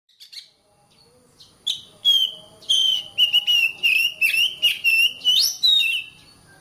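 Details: Oriental magpie-robin song used as a master recording to coax caged birds into singing: after a few faint notes, a loud run of sharp whistled phrases and rapid harsh bursts, pulsing several times a second.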